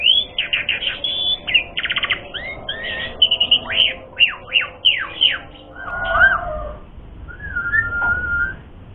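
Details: Asian pied starling song for luring rivals into a fight: a rapid rattled burst, then a string of steep downslurred whistles, ending in softer drawn-out whistled notes.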